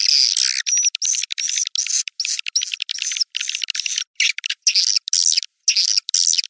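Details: White-nest swiftlet calls: choppy bursts of high, buzzy twitter and thin whistled chirps, repeated in short segments with sharp silent gaps between them.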